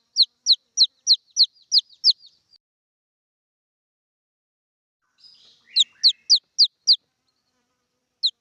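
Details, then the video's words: Red junglefowl chick calling for its mother: high, thin, downward-slurred peeps in a quick run of about eight, a pause, then another fast series and a final lone peep. "suab nyuam qaib qus quaj dib poj tuaj zoo heev y tiếng gà rừng con kêu mẹ"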